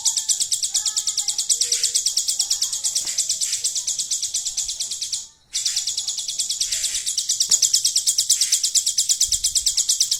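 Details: Hill prinia song with a golden grasshopper imitation fill: a long, even series of high buzzy pulses, about three a second, breaks off briefly midway and then resumes, with soft lower whistles early on.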